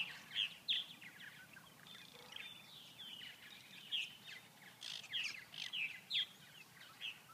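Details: Purple martins in Grand Forks, North Dakota, on a cold day reaching only 39°F with no flying insects, so the birds could not feed and stayed inactive; sharp, high chirps come in irregular bursts, roughly two to three per second, over a soft background hiss.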